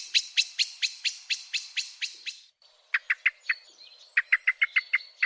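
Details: A male common blackbird that sits in a garden apple tree gives sharp, metallic chinking alarm calls, about ten in a fast run, then two quick bursts; these are loosely territorial calls while competing with neighbourhood blackbirds for roost sites at dusk.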